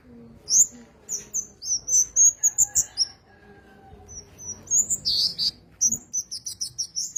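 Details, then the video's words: Master-training song of the Javan cochoa: thin, high whistled phrases, some sliding upward, in uneven bursts with a pause mid-phrase, then a harsher note and a quick series of short high whistles at the end. "Burung Kemade Gunung master handal untuk pikat suaranya lebih keras"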